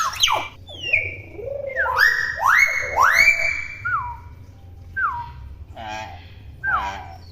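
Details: Young common hill myna, still in juvenile plumage, chattering noisily: loud swooping whistles that rise and fall, some sliding downward in long slurs, mixed with harsh buzzy notes, over a low background hum.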